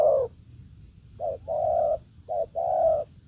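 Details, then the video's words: Spotted dove met in forest by a decoy bird: a trailing coo, then two short-long coo pairs with drawn-out second notes, against a soft steady high whine. "Mồi Thổ ô ra rừng đụng bổi đồng cườm đẹp"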